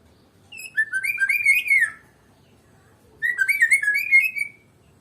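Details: White-rumped shama, Medan type, giving two fluent warbling phrases of rich, looping whistles, each over a second long, separated by a short silence.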